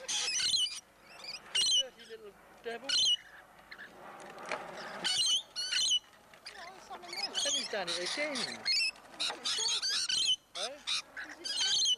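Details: Rainbow lorikeets, hundreds in Lane Cove National Park, perched on visitors while being fed: dense overlapping shrill screeches and chattering squawks, nearly continuous, with some human voices mixed in.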